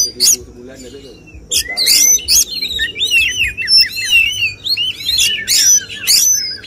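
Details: Oriental magpie-robin in a songbird competition, performing the 'tembakan' phrases judges look for: loud scratchy bursts interleaved with slurred whistles and quick wavering notes, dense and continuous over several seconds.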